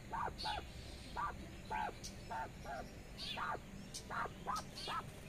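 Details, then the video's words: Mother quail calling her twelve small chicks to keep up while grazing in the sun; paired and single hoarse, harmonic notes in quick irregular succession, some high chick peeps, and constant low background hum. "Mother quail calling to her cute baby chicks"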